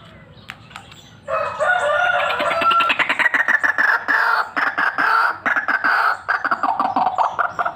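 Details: White-breasted waterhen, a spirited fighter-type bird whose calls are used for luring: loud, harsh, harmonic croaking notes repeated rapidly in pulsed bursts for several seconds, with brief breaks, after a quiet start.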